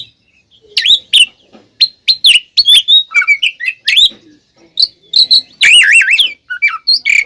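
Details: Fighting song of the oriental magpie-robin, used to provoke other kacer into anger: quick sharp chips building to rapidly warbling, wavering whistles near the end.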